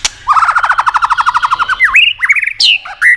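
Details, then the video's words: White-rumped shama song, played to stimulate and excite other shamas: a fast run of about twenty buzzy, evenly repeated trill notes, then rising and swooping whistled phrases. A sharp click opens the run. "Âm Kích Thích Cực Nhạy.chòe lửa đập tạch kích bổi cực sung"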